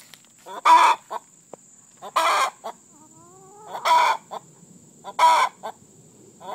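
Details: Hen singing her egg song to announce she has just laid an egg: loud broad cackling bursts every second or so between softer clucks, with a steady high whine in the background.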